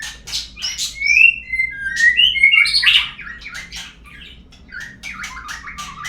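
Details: White-rumped shama lure song: clear, fluting whistled notes sliding up and down in a flowing phrase, followed by a run of rapid sharp clicks and short chirps.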